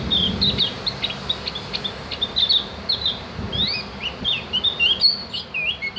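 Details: Javan grey-throated white-eye, known as cak gentong, sings on a recording meant to train caged birds: lively, high, twittering chirps and rapid up-and-down whistled slurs, repeated in fast bursts over several seconds.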